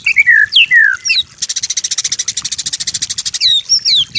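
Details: White-rumped shama master song for training: falling whistled slurs, then a long buzzy rattling trill of rapid pulses, closing with sweeping high whistles.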